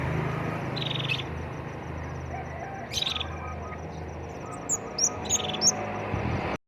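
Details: Ashy tailorbird singing vigorously: scattered bursts of quick, high chirps, rising toward the end into a run of sharp notes, against a steady insect hum and low rumbling background noise.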